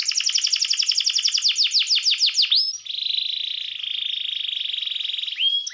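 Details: Canary provoking rival birds with song: a rapid series of high downward slurs, a rising whistle, then a long steady buzzing trill lasting nearly three seconds before a final upswept note.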